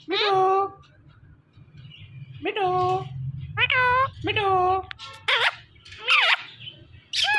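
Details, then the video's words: Indian ringneck parakeet, a talking pet parrot, repeating "Mitthu" in voiced word-like syllables with gaps between them, then a few rough, high squawks near the end, over a low rumbling hum. "Talking Parrot Saying Mitthu Mitthu"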